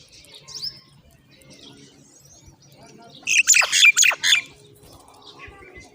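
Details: Common myna chicks begging as their mother brings in moringa to feed them; a brief burst of harsh, raspy, overlapping squawks about a second long, with faint chirps before and after in a quiet background.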